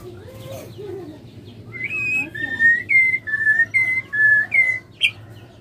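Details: A female white-rumped shama gives calls said to stir males into singing: about six clear, level whistled notes in quick succession after softer, lower sounds, over a faint background hum.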